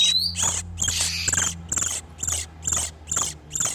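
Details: Oriental magpie-robin pair in breeding condition, a lure for catching wild birds: a brief rising whistle then rhythmic harsh, buzzy high rasps about twice a second over a low steady hum.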